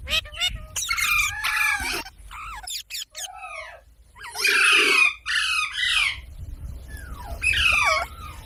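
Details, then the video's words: Parrot squawking in harsh, buzzy bursts mixed with shorter chirps and a few bent whistles, coming in irregular clusters separated by quiet pauses. "Parrot Sound Videos | Parrot Sounds | Parrot Video | Talking Videos Compilation"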